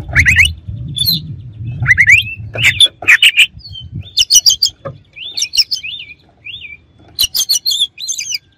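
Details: Oriental magpie-robin song used to rile a rival. Rasping chirps and whistled notes over a low rumbling hum fade into a run of repeated short, inverted-V whistles, then a final burst of harsh high notes.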